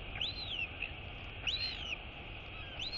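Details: A royal albatross chick, woken by her returning mother for feeding on 23 August 2022, gives high, squeaky, arching "wheeing" food-begging calls about every one and a half seconds, rising then falling, over a steady low rumble of wind.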